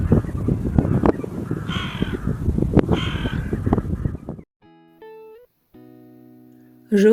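A hooded crow gives two harsh, hoarse caws about a second apart over rough background noise, followed by a few plain musical tones.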